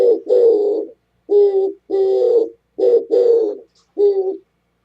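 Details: Oriental turtle dove calling, dated 27 January 2017: deep hoarse coos in short-long pairs, repeated about once a second, ending on a single short coo, the background otherwise quiet.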